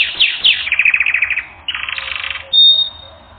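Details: Training-recording canary song: a quick descending trill breaks into a rapid pulsed roll, a short gap, then another buzzy roll and a sharp, pure high whistle at the close.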